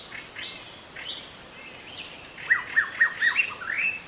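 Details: Young wild white-rumped shama in forest, opening with soft scattered rising whistles, then a louder closing burst of five quick downslurred whistled notes followed by a rising flourish.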